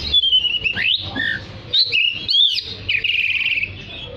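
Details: Oriental magpie-robin singing actively, played to call other magpie-robins: loud, varied whistled phrases with rising and falling sweeps and a brief warbled trill near the end, separated by short pauses.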